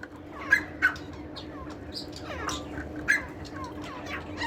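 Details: A francolin (tetar partridge) sings loud, sharp, ringing notes: two close together, then another about two seconds later, with softer chirps from other birds and a steady low hum underneath.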